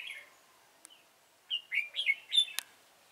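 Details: Red-whiskered bulbul used in bulbul trapping. After a brief chirp, a quick burst of four or five rich warbled notes rises and falls, with a sharp click at the end. A person speaks nearby.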